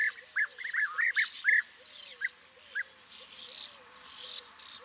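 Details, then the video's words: European bee-eaters (Merops apiaster) give short, rolling, liquid 'prruip' calls in quick bursts, about eight in the first three seconds, over a soft, low, repeated whistle and faint background chatter. "Vogelstimmen: Der Bienenfresser - Bee eater - Merops apiaster"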